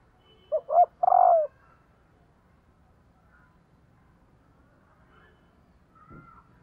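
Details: A single low three-part coo from a female spotted dove calling to excite males, two quick notes then a longer held one, followed by near silence and a faint knock.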